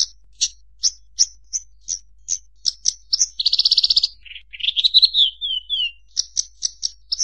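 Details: Bushlark repeating a sharp high chip roughly every third of a second, breaking into a fast pulsed buzzy trill and a descending series of slurred whistles before resuming the chips.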